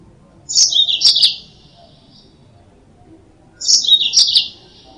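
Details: Yellow-fronted canary song played as a lure for trapping birds: two short, bright twittering phrases, each under a second, with sharp chirps dropping between high and slightly lower notes, separated by about three seconds of quiet.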